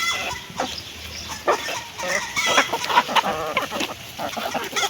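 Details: Hen eating food, heard as scattered clucks and pecking taps, with a few brief higher calls mixed in.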